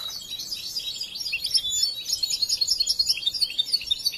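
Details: European goldfinch, a young trainee singer not yet finished learning, pouring out a quick, bright stream of high liquid twitters and tinkling notes in a short burst.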